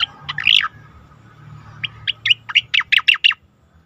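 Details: Asian pied starling singing for a competition-bird training track: a short cluster of chirps, a quiet gap, then an accelerating series of about ten sharp, downslurred whistled notes.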